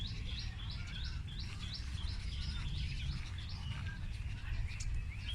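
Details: Birds chirping, one repeating a short high hooked note about twice a second in a steady run, with fainter twitters from others and a low constant hum.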